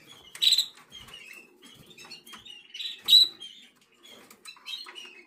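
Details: Young canary, 11 days old, black red mosaic jaspe SD. Two loud sharp squeaks about two and a half seconds apart stand out among softer twittering chirps and faint shuffling.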